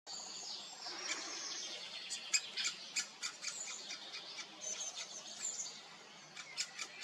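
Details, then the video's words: Juvenile great spotted woodpecker calling loudly with bill wide open while it waits for a parent to bring food; sharp, high clicking notes come at irregular intervals over a soft background hiss. "Jonge bonte specht wordt gevoerd"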